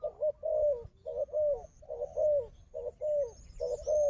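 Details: Wild dove in a fighting bout with a decoy coos steadily, about seventy notes a minute, each a soft rolling double coo, faint high tones behind.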